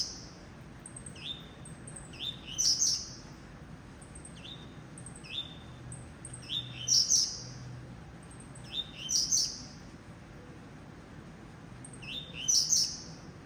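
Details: Captive blue-black grassquit from a breeding aviary repeats its coleiro tuí-tuí style song: paired short upslurred notes then a bright buzzy trill, about four phrases in steady succession, soft background hum.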